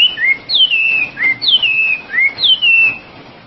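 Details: Loud whistled phrases from an Oriental magpie-robin (wambi): each opens with a short up-slur, then a clear note falling and flattening into a held whistle, repeated roughly once a second.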